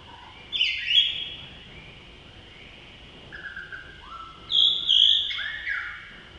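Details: Male blue-throated blue flycatcher recorded in May at Tashiding, Sikkim, India, giving sweet high whistled phrases with sliding notes and quick trills, separated by pauses of a few seconds.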